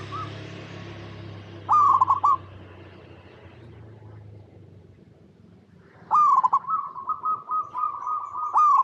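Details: Local zebra dove cooing as a lure for other doves: one loud trilled coo, a quiet pause with low rumble, then a loud stuttering coo running into steady purring coos and another burst.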